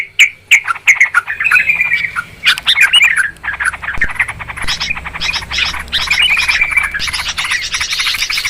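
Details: Yellow-vented Bulbul (trucukan) calls used as a trapping lure: a few spaced sharp chirps open, then fast squawky chatter and whistled notes build into a dense, overlapping chorus.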